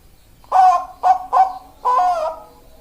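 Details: Zebra dove kept for breeding stock, singing: four soft, rounded coos, the first three short and evenly spaced, the last longer and drawn out, with a low background hum.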